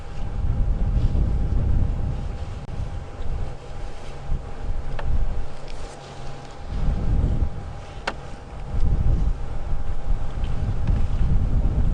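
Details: Low engine rumble and wind buffeting dominate, with a faint steady hum and a couple of sharp clicks, but no animal voice.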